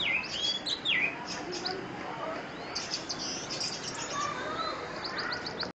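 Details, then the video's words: Orange-headed thrush song of quick high whistles, slurred notes and clustered chirps in a steady rush over a noisy background. "Kicauan Anis Merah"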